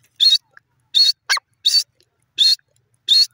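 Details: Teetar francolin calling: loud rasping notes repeated roughly every 0.7 seconds, five in a row, broken once by a quick lower, descending squeak, with clean silence between calls.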